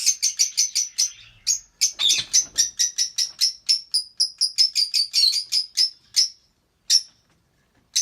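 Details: Albino red-eyed lovebird pair, singing and chirping: a fast run of sharp, high chirps repeated several times a second, broken by a brief harsher burst, then slowing to a few isolated notes near the end.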